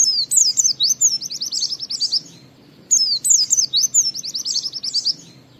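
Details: Oriental white-eye in ngalas-to-wiksar song, used as a lure to get other white-eyes singing quickly: two long, rapid runs of high, sharp, twittering notes, each lasting about two seconds, separated by a short gap.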